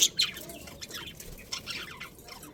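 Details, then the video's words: Budgies of a breeding colony: a sharp squeak opens, then soft continuous twittering and faint warbled chirps at a steady low level. "Cute Budgies Chirping Sounds"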